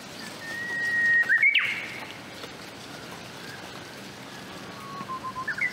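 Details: Japanese bush warbler singing in late spring in Hokkaido, out of bamboo thickets after snowmelt: a long, steady whistle, then a quick, bright, rising flourish, with a fainter, lower whistle and a few short notes near the end.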